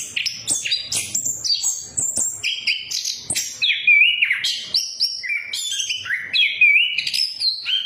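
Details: Orange-headed thrush lure song in the gacor ngeplong style: long continuous medley of varied whistles, rising slurs and quick chattering notes, repeated phrases stepping up and down in pitch.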